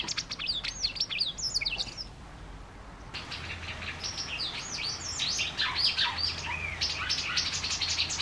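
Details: White wagtails coming to a balcony and garden; repeated high downslurred chirps and twitters in quick series, about four notes a second, with soft wing flutters and a low hum in the background.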